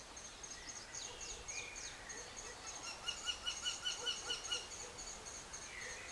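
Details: A Eurasian wryneck at its nest cavity in Poland in 2009 gives a quick run of about eight nasal, ringing notes at an even pace, after thin high chirps from other small birds.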